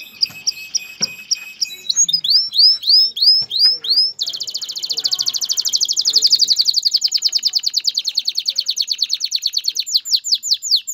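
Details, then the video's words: Male canary singing so a female is readied for mating and nest building. Repeated curved whistled notes at an even pace give way to a long, dense buzzy trill with rapid pulses, then closing swept notes. "اقوى تغريد ذكر الكناري لتجهيز انثى الكناري للتزاوج و تحفّزها على بناء العش"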